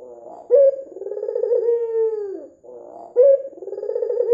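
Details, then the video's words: White, red-eyed Barbary dove, kept as a lure to prompt other doves to call, delivers a long mellow coo that swells, holds steady and sinks at the end, followed by another sharp-edged rising coo. "PANCINGAN PUTER PUTIH MATA MERAH GACOR"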